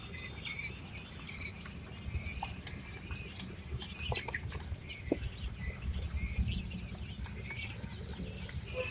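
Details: Eight-day-old quail chicks giving soft high cheeping calls in short scattered bursts over constant low rustling and scratching.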